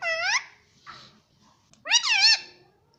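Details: Pet rose-ringed parakeet indoors imitating speech: two harmonic, wavering vocal phrases, the first falling then flat, the second rising and warbling, separated by a short quieter syllable and a pause.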